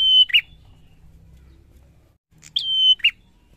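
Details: Bar-winged prinia singing: the tail of one phrase followed after a pause by a full one, high note, flat sustained whistle and lower rough ending.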